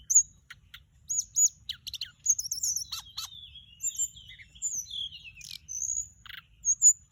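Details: High sweet whistles and chattering ticks of a Mugimaki Flycatcher lure sound, with trilled phrases and long falling slurs in quick succession.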